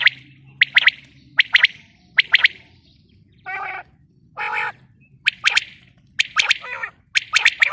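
Female common quail giving sharp, high chirping notes in quick pairs and triplets, broken midway by two harsh, rasping bursts, over a low steady hum.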